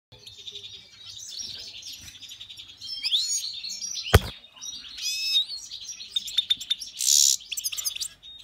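A goldfinch-canary hybrid sings a fast, tinkling run of high twitters, rising slurs and buzzy trills, with one sharp click partway through.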